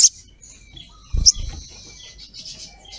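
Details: A sharp high chip opens, then a second loud chip about a second later over a soft thump, with thin high notes after, from a female ruby-cheeked sunbird calling a male.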